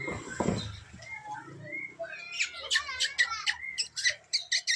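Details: Magpie-robin singing: after a brief human voice at the start, a run of varied whistled and chirping phrases with sharp clicking notes, rising and falling, fills the rest of the recording.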